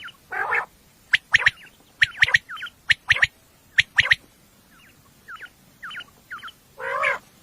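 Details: Common quail, described as a female, recorded at night for use in hunting: short sharp triple-note bursts repeated about once a second, with harsher, broader nasal calls at the start and end, over a quiet low hum.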